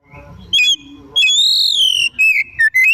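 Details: Oriental magpie-robin singing vigorously in the afternoon as a lure song for pet birds: a low soft note, then a sharp high whistle, a long arching rising-falling whistle and short clear whistled notes.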